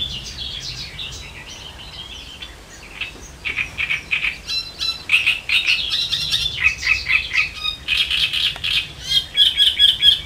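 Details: Great reed warbler on the Elbe river: after several quiet seconds, a loud harsh song starts, made of grating, croaking syllables repeated in quick uneven runs that grow louder toward the end, with brief rasping notes mixed in.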